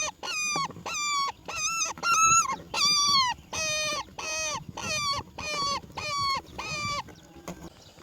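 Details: Roller chick fed black crickets by its mother, begging insistently: about eleven harsh, harmonic calls, short and quick at first, then longer and steady, ending abruptly, followed by a faint thin note.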